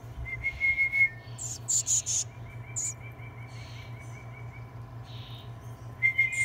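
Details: A Black-capped Chickadee nestling being fed on 19 June 2021 gives thin, high begging notes in quick bursts, with sharper high chips between and a low steady hum underneath.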